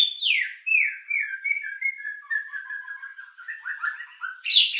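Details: White-rumped shama lure song with rich filler, meant to raise emotion and breeding drive: a sweeping downward whistle followed by a long stream of warbled, slurred notes gradually descending, ending in a harsh high burst.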